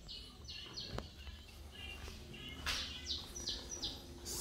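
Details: Mineirinho saffron finch coming out of moult sings a series of high down-slurred notes in short bursts, partly masked by steady background hum and occasional clicks.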